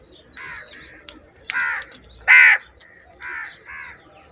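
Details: Crows gathered in a large group squabble over food, giving a series of harsh nasal caws, one especially loud and raspy near the middle, with quieter overlapping caws from other crows around it.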